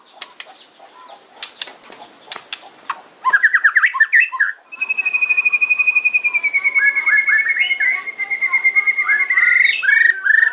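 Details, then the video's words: White-rumped shama in hard kretekan fighting style, sharp fills to provoke a rival: scattered clicks, a burst of rapid chattering, then a long steady whistled tone sliding down before quick rippling notes. "KRETEKAN MURAI KERAS FIGHTER ISIAN TAJAM BIKIN LAWAN EMOSI"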